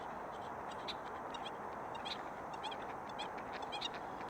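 American Coot giving short, nasal, hen-like clucks and honks in loose, irregular bursts over a steady hiss of background noise.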